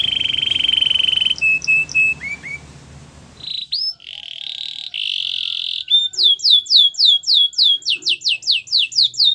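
A Belgian canary sings a long high whistle, clipped notes and short rolls, then a fast run of bright falling slurs, about three per second.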